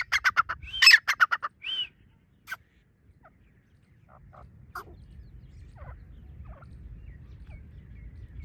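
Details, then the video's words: Partridge (teetar) calling: a loud, rapid burst of harsh, ringing notes in the first two seconds, a short trailing note, then scattered faint clicks over a low background hum. "teetar ki awaz"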